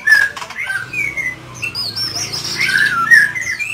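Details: White-rumped shama from Medan singing at night: clear whistled notes that slide up and down, mixed with softer twittering, in a varied, continuous phrase.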